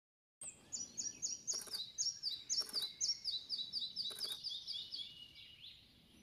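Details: Red-breasted flycatcher singing at Schoonloo, Netherlands, on 27 May 2015: a high, bright series of quick repeated notes, about four a second, dropping slightly in pitch toward the end, with a few soft clicks.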